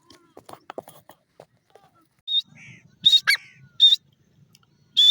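Grey Francolin giving loud, shrill, harsh call notes in quick bursts.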